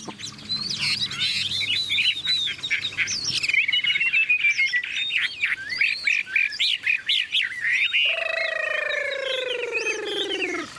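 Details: Newly acquired tame Chinese Hwamei, caged and filmed singing when heavy rain set in; a long, varied warbling run of whistled and chattering notes, ending in a lower, drawn-out descending phrase.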